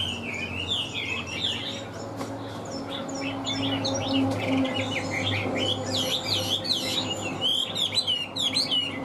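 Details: Chinese hwamei in a cage, a big well-shaped songbird, delivering rich high warbles and twisting whistles in rapid bursts, with steady low humming tones and faint background noise beneath.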